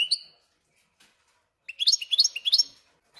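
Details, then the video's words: Caged goldfinch-canary hybrid gives a brief whistled note, a pause, then a short series of sharp rising chirps repeated quickly. "смотрим слушаем как поет гибрид"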